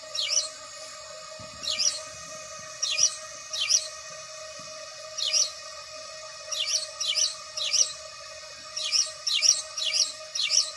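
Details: Series of loud, clipped house sparrow chirps, spaced out at first and then tumbling faster near the end, with a continuous hum underneath.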